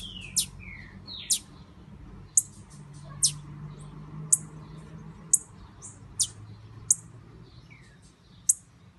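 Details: Blue-black grassquit female described as ready to breed, her calls meant to stir a male: sparse piercing high chips spaced roughly a second apart, with a few brief falling whistles, against a low steady hum.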